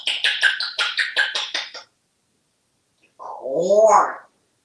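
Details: A pet African Grey Parrot in a Texas home, eating treats like apples, grapes and corn, makes about eight quick, dry smacking clicks in under two seconds, then after a pause a short voiced, wavering sound.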